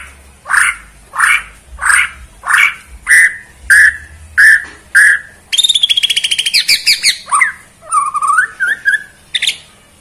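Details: White-rumped shama of the Borneo form, shown in a bowing display, sings a run of loud, rich, repeated phrases about every half second, then a rapid chattering trill and sliding whistled notes.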